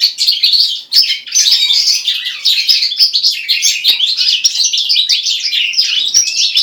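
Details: A goldfinch × common linnet hybrid sings a continuous, rapid twittering song of liquid trills and chattering notes, high-pitched and unbroken for the whole passage, with no other sounds.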